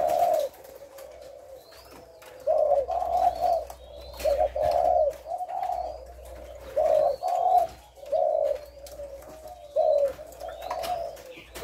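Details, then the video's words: A spotted dove in the thổ lối call style, recorded 18 September, delivers distinct low coo phrases about every second or two, each a short throaty burst, with faint rising whistles of other birds and a low hum. "ÂM THỔ LỐI NGÀY 18/9"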